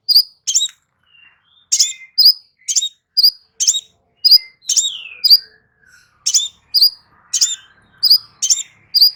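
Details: Crimson sunbird song used as clear therapy chirping to restore a silent bird's voice: a steady run of sharp, very high, often doubled chirps about every half second, with a few thin descending whistles between them.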